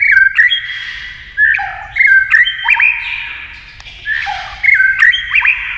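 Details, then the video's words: White-rumped shama duelling with a TV, singing rapidly with a tail-flicking display: ringing flute-like whistles, abrupt up-and-down slurs and sharp ticks, phrases coming in loud clusters about every second. "kích chòe lửa hót đấu với tivi cực căng lửa"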